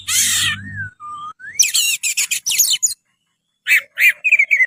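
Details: Oriental magpie-robin (kacer) in lively song: harsh noisy burst, then slurred rising and falling whistles, quick sharp chattering notes, a pause, and a run of repeated descending whistled notes.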